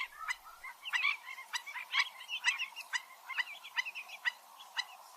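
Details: Black-winged stilt, known locally as gagang bayam empang, calling in a busy mix of short yelping notes and twisting, squeaky phrases. Several calls overlap irregularly against a faint hiss.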